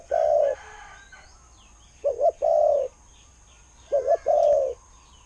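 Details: Spotted dove cooing: a long mellow coo, then twice a short double note leading into a drawn-out low coo, repeated about every two seconds.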